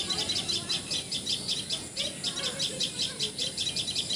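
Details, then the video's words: Assam, India: a common tailorbird's sharp, high, repeated notes in a brisk series, accompanied by soft lower twittering from other birds. "Call Of Common Tailor Bird!"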